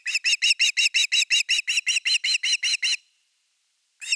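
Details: Evening fish at Osprey nest #3, Finland, 30 August 2021: a long, rhythmic chain of about sixteen shrill whistled notes, roughly six per second, then a pause and a new note beginning.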